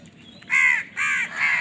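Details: Crow fighting for food gives three loud, harsh caws in quick succession, each roughly a third of a second long, against a faint background hum.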